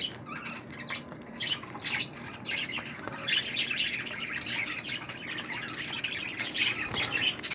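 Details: A pearl (perlado) DF budgerigar, 2018, chatters in a steady run of scratchy, high warbles and squawky chirps for several seconds, with a few sharper notes near the end.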